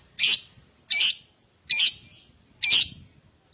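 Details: Lovebird calls used as a prompt to set other lovebirds singing: loud harsh screeches spaced under a second apart, each a brief raspy burst.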